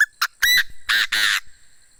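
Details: Chinese francolin kept as a tame decoy bird, calling loudly: two clipped notes lead into two long, rasping, broad notes, the phrase ending abruptly against a quiet background.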